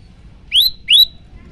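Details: Prinia known locally as prenjak lumut giving two clear, high whistled notes that sweep upward and hold briefly, spaced under half a second apart, against a quiet background.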